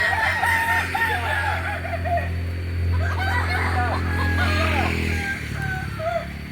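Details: Crowing of Kokok Balenggek roosters from Solok, West Sumatra: wavering, tiered crow phrases repeated over a loud low droning hum that fades near the end.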